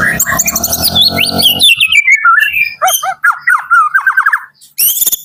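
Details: White-rumped shama from Medan singing in the morning: a harsh, buzzy squawk overlaps rising whistles, followed by a run of quick repeated falling notes and a final high whistled burst.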